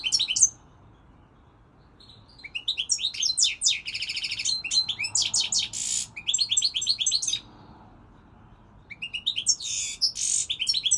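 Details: European goldfinch song this season: a few opening notes, quiet, then a long run of liquid twitters mixed with rasping buzzy bursts, a pause, and the phrase starting again.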